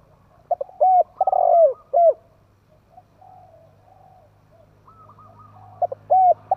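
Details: Captive decoy spotted dove calling to stir up wild doves: a full cooing phrase of falling mellow notes with a long middle coo, a quiet gap of about three seconds, then the next phrase beginning, over low hum.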